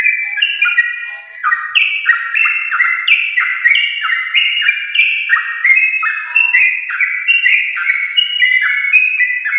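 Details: Fast continuous 'ropel' singing by a yellow-vented bulbul bred from champions, played to get home-kept bulbuls singing: loud bubbling cascades of short downslurred whistles, densely overlapped throughout.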